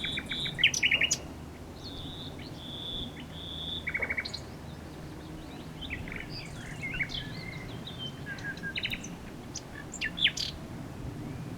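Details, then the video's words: Common nightingale singing: a burst of rapid repeated notes, then a long level whistle and a second quick rattling series, followed by scattered sharp high notes over a steady low rumble. "A Nightingale singing"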